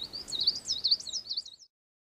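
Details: Coal tit song: a quick series of high, bouncy, whistled two-part notes, about eight repetitions in one and a half seconds, then silence.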